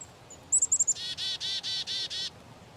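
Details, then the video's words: Black-capped chickadee: a few faint high whistles, then a rapid trill of high chips and a steady series of six rasping, buzzy dee notes at an even pace. "Chickadee - dee - dee - dee"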